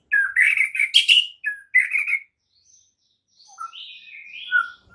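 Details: White-rumped shama morning training song meant to make other shamas sing, a burst of rich, buzzy warbled phrases in the first two seconds, then quieter thin whistles and a falling slur after a short pause.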